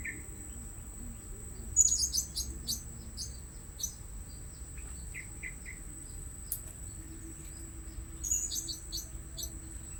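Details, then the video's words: Blue-crowned hanging parrots heard while being lured at a fresh spot. Two bursts of rapid, needle-thin high chirps come about six seconds apart, with a few softer notes between, over a steady high whine. "Memikat Burung Serindit Di Port Yang Baru"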